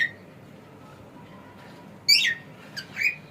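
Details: Male pet cockatiel falls quiet after a faint note, then gives one loud buzzy squawk followed by two softer calls.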